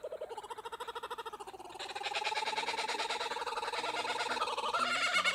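A kookaburra's cackling laugh, rapid harsh chuckles about three a second, swelling louder and higher as it goes, with faint music underneath.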